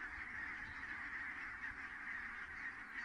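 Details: Many geese settling at Kulgur in Estonia on an early May evening in 2018, their far-off honks merging into an unbroken, even chorus.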